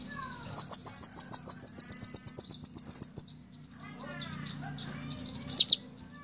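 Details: Olive-backed sunbird (kolibri ninja) in lively song: a steady, rapid run of bright, high chirps lasting almost three seconds, followed by near silence and one last short, sharp double note.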